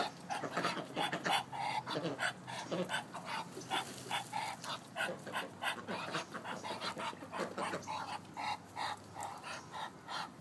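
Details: Male Muscovy duck, which does not quack: breathy, huffing hisses like heavy breathing, repeated roughly three per second in uneven bursts, airy and noisy with no clear tone.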